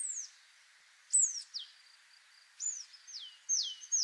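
Willow Tit song: clear, high whistled notes sliding steeply downward, repeated about five times in four seconds over a faint background hiss.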